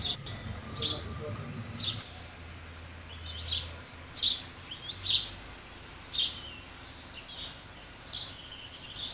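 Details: Sharp, high house sparrow chirps repeat irregularly, roughly once a second, with a low rumble and faint background noise during the first seconds.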